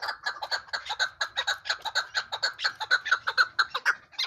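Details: Mountain chukar partridge calling in a rhythmic run of clucking chuk notes, about two per second, growing steadier and louder toward the end.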